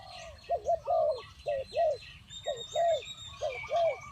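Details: Spotted dove giving a run of rounded, hollow coos in quick pairs, each note rising and falling, about eight notes in four seconds, with thin whistles and chirps of other birds in the background.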